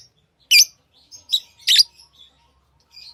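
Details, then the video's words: Tame pet lovebirds chirping: a few piercing, high squeaks in quick succession, followed by soft twittering. "Love birds Sounds | lovebirds chirping sounds"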